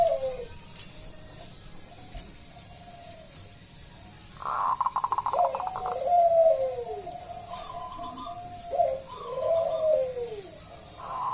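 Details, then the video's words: Local zebra dove with a loud voice, singing as a lure to draw other doves into song; slurred descending coos, a brief rapid burst of clipped notes near the middle, then more falling coos with faint background hiss. "Pancingan Perkutut lokal SUARA BESAR"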